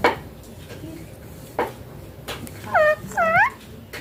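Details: Green baby Indian ringneck parakeet at play and feeding, giving two loud, harmonic squawks that rise then fall near the end, after quiet clicks and soft background sounds.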